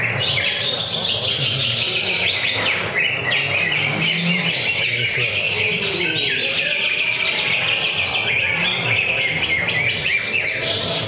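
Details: Greater green leafbird performing at a Friday practice singing contest: a long unbroken flow of high, rich whistling and twittering, with rapid trills and chips and a dense chorus of competing birds behind.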